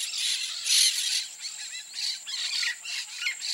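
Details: Pair of peach-fronted parakeets giving harsh, raspy squawks in quick bursts, one loud screech near the start, then shorter grating notes, over a steady high-pitched insect-like whine.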